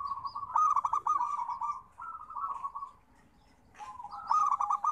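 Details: Zebra dove cooing meant to prompt quiet birds to sing: soft rolling trills of quick pulsed notes, a sustained purring stretch, a brief silence, then another rapid cooing burst.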